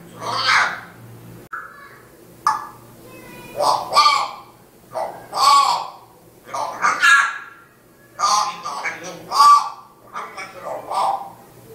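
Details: Talking African grey parrot in Riyadh reciting Quran verses and remembering God: a string of short, speech-like syllables and clipped utterances with gaps, varying in pitch, in a quiet room.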